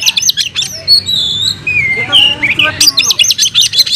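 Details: Caged oriental magpie-robin in Indonesia, kept as a songbird, in fighting-style song: rapid bursts of sharp, buzzy chirps, then a few sliding whistles and a renewed burst of fast chatter, with low background rumble.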